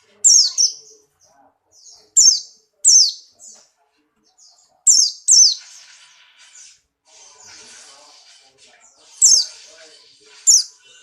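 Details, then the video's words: Buxtoni white-eye in strong breeding condition, hopping and singing: repeated short, high, shrill twittered phrases, often in quick pairs, scattered over eleven seconds, with a faint low background hiss in the middle. "burung pleci Buxtoni birahi kencang loncat indah nembak"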